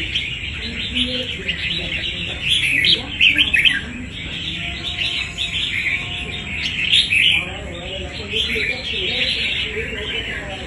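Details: Wild-caught red-whiskered bulbul of strong fighting quality giving rapid, irregular chirps and warbled notes, dense bursts about three per second, over a constant high-pitched whine and quiet background.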